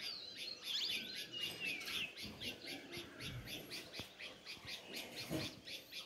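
Sparrows chirp in a busy, steady chatter of short high notes, several birds calling over one another with a few whistled phrases early on.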